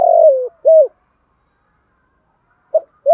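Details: Spotted dove calling in thúc gù style as a decoy to excite other doves: a long tremulous falling coo and a rounded coo, a pause, then a clipped note and another arched coo.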